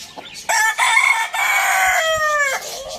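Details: Rooster crowing in the morning, a loud, rich, harmonic crow of several linked parts lasting about two seconds, ending in a falling tail, with faint bird chirps before it.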